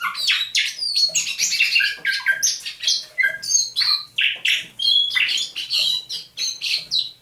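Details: Caged thrush nightingale, captured near St Petersburg in May 2019, in dawn song on 27 November 2021: a continuous stream of loud chirps, harsh notes and short whistles, evenly pulsed.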